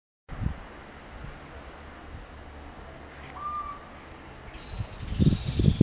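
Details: A little owl, perched on an antenna, sings one drawn-out, slightly rising hoot over a steady low rumble, followed by a burst of rustling noise at the end.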